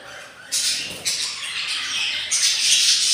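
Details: Four-day-old budgie chicks, three newly hatched from a clutch of eight in a breeding box, beg hungrily with loud, rough, hissing rasps in long bursts, each starting suddenly, several across three seconds.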